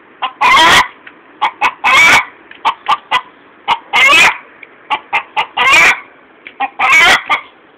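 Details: After laying an egg, a chicken cackles: clusters of quick short clucks each ending in a long, loud, rasping squawk, the pattern repeating roughly every one and a half seconds.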